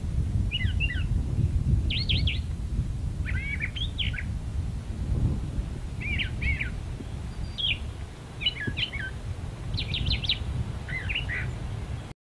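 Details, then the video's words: Brown thrasher singing from a magnolia tree: a string of short, varied whistled and buzzy phrases, several given twice in quick succession, separated by brief pauses, over a steady low rumble of background noise. "Brown Thrasher in Magnolia Tree"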